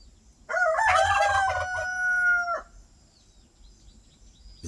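A rooster gives one full crow of about two seconds, a harsh broken start that settles into a long held, slightly falling note. Quiet background noise follows.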